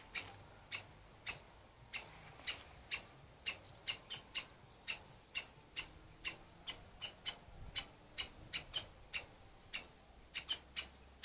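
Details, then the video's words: Two angry woodpeckers, father and mother guarding their nest with young chicks, give sharp, high, clipped 'kik' calls about two per second, sometimes in quick doubles, from a dry branch to drive off an intruder, over a faint low hum. "Крики дятлов. Два сердитых дятла"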